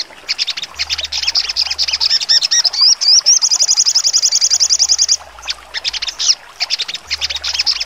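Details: Sharp-singing sogon delivering full trotol song for contest training: quick scratchy high chirps, a few rising slurred whistles, then a rapid steady trill lasting about two seconds before the chatter resumes.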